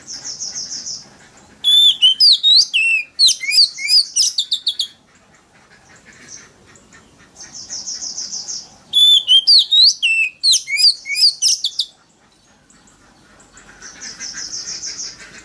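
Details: Oriental magpie-robin lure recording in wild forest voice, made to provoke rival birds into singing contests. Two loud bursts of rapid, varied, looping whistles, each about three seconds long, alternate with a steady high hissing buzz.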